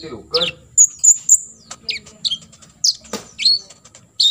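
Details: Olive-backed sunbird giving full 'tembakan isian' fill-in shots, used as tutor material for contest birds to copy: sharp high chirps and thin whistled notes in short bursts, with a brief low murmur near the start.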